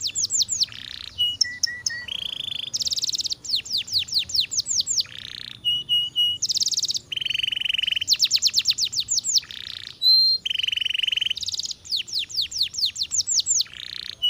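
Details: Canary singing a varied song: rapid descending trills alternate with buzzy rattling rolls, short flat whistles and chirps, phrases switching every second or two, clean and close with little background noise.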